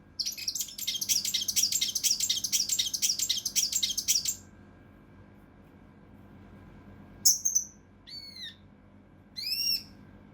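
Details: Mountain leaf warbler song in the dense, rough 'tembakan kasar rapat' style, for training competition birds: a harsh, buzzy, rapid burst of high notes lasting about four seconds, then a pause and a few sharp, downslurred whistles.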